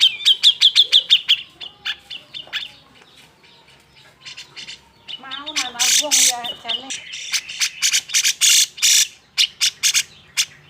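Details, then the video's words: Emotional grey-cheeked bulbul song for provoking other bulbuls to sing, opening with rapid whistled notes, then wavering chatter and a long run of loud harsh rasping bursts repeated about three per second. "Gunakan Suara Jenggot EMOSI ini untuk MEMANCING CJ yang MALES BUNYI"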